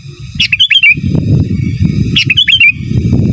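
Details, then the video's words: Sooty-headed bulbul, recorded as a master song, giving two quick phrases of curling whistled notes about two seconds apart, accompanied by loud low rumbling and scratchy background noise. "Suara Burung Kutilang Gacor Giras dan Menggaruda Cocok Untuk Masteran"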